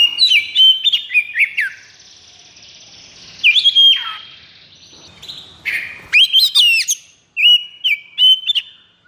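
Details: Oriental magpie-robin (kacer) in high breeding condition singing in 'konslet' style: clusters of loud warbled whistles and falling slurs, with brief quiet gaps and a faint lower hiss between phrases.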